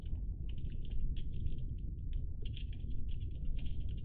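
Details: Group of Iberian magpies, dated 03-10-20, giving dense bursts of brief raspy chatter notes in quick succession, many birds calling at once, with heavy low-pitched rumbling noise underneath.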